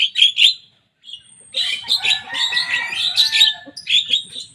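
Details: Young Javan myna singing rivals' songs: two sharp squeaky notes, a brief silence, then a rich, unbroken stream of chattering and scratchy whistles.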